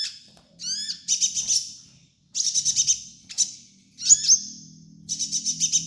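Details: Master song of a kolibri ninja sunbird: a few steeply sliding whistles followed by rapid buzzy high trills in short bursts, with gaps of silence and a low droning hum.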